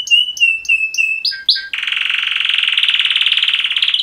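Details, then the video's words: Two male canaries in mating song: a series of clear repeated whistled notes, then a long, harsh, fast-pulsing buzzy trill held for over two seconds. "Super Two Males Canary Mating Call Songs"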